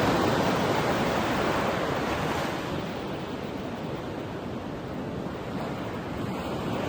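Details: Steady roar of ocean waves breaking on a beach, with wind noise and no clear animal calls.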